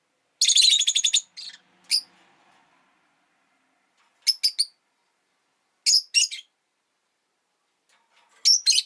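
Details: Shrill, rapid chirping from a pet rosy-faced lovebird: a fast stuttering run of sharp high notes, then scattered groups of two or three piercing chirps separated by silence.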